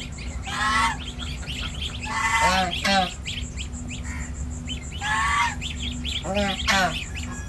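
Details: Domestic goose on a village farm in India, with a six-day-old gosling: loud, harsh, buzzy honks in short bursts, several close together, then pauses, a steady low hum underneath throughout.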